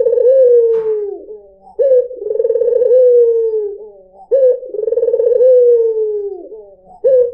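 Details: Lure song of a white dove: deep purring coos, each about two seconds long, starting abruptly, trilling, then sliding downward, given in steady succession with short quiet gaps between.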